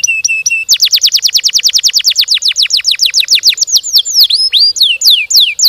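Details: Canary singing a long, fast song: a few steady whistled notes, then a rapid run of descending sweeps several per second, ending in looping swooping whistles.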